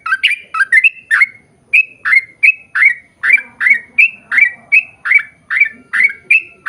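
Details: Sooty-headed bulbul song, a lengthy rapid series for luring birds of the same kind: a few clustered double notes, then evenly spaced whistled chirps that sweep down, roughly every half second.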